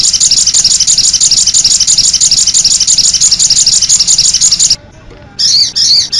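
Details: Sogon bird delivering cit anten song, a long loud high rapid trill of even repeated notes for nearly five seconds, a brief silence, then two short shrill chattering bursts.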